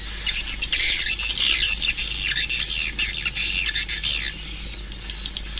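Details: Swiftlets give rapid, shrill twittering, fast chirps tumbling over each other, loudest in the first four seconds before thinning out.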